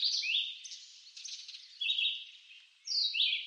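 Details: Red-eyed vireo from woods in eastern North America: a few brief slurred whistles, one phrase falling and another rising, broken by a longer gap, over soft background noise.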